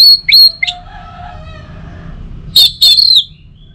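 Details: Singaraja, Bali recording of an Orange-headed thrush singing, used mornings to stimulate other birds. Clear whistled notes with short downward flicks open, followed by a soft pause, then two strong, slightly buzzy whistles that trail off.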